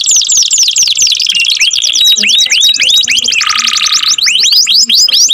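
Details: Canary song, loud and continuous: rapid trills of repeated downslurred whistles, fast buzzy rolls, and a low sustained rattling tour near the end, with no other sounds.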